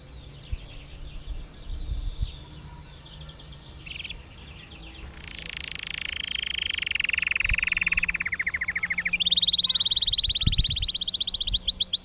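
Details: Canary singing in Mesaria village on Santorini: soft whistled notes give way to long, very rapid rolling trills that step down in pitch, then a bright high trill rising at the end, with faint low thumps behind.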